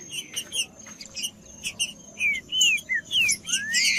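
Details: Song of a green-winged saltator meant to warm up a quiet bird: scattered chirps give way to louder clear slurred whistles, mostly falling, ending in a rising sweep.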